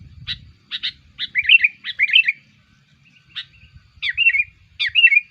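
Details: Sooty-headed bulbul call used to lure bulbuls: sharp clipped notes mixed with liquid rolling warbles, several phrases in irregular bursts over five seconds, quiet low noise at the start.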